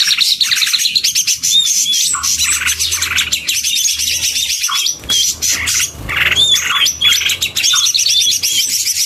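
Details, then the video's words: Leafbirds of several kinds, males, females and a pair, singing together: a busy, unbroken chorus of rapid high chatter, with clear whistled slurs rising above it at intervals and a faint low hum in the background. "CAK IJO dalam paduan suara"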